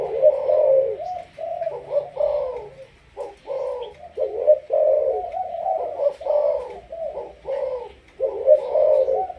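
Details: Malaysian spotted dove, a decoy bird with 'sấm thổ' style calling, repeating loud, low, hollow coos in phrases of several notes with short gaps, the series recurring steadily.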